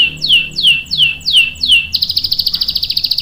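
A canary sings five high, sweeping down-slurred whistles about three a second, then breaks into a fast, even high-pitched trill.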